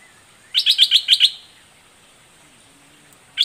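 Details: Fierce doubled-style singing from a red-whiskered bulbul of the southern dok taeng type: six rapid, sharp, high chirping whistles crammed into under a second, followed by quiet and a single note starting again.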